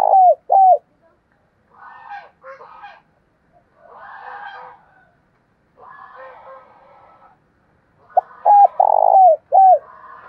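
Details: Spotted dove used as a decoy, calling wild doves closer in the 'thổ đồng' voice style; two short arched coos open, fuller hollow coo phrase near the end, separated by softer scratchy chatter from other birds.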